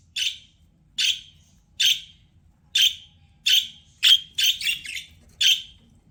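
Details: Budgie giving short sharp chirps repeated roughly every 0.7 seconds, a steady rhythm that crowds into a quick triple toward the end, each note bright and slightly rasping, over a faint low background hum.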